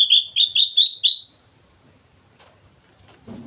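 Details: Lively sooty-headed bulbul from Mount Slamet giving five bright, slurred whistled notes in quick succession, each falling slightly, then fading into soft rustling and handling noise.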